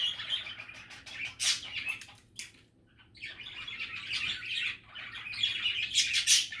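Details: Budgerigars chattering: dense, scratchy warbles and chirps run almost continuously, swelling into louder buzzy bursts, with a brief quiet gap near the middle.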